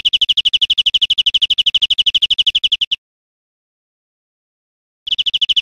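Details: European Greenfinch in Spain, 2013, delivering a long rapid trill of uniform chirps for about three seconds, falling silent for two seconds, then starting another identical fast trill.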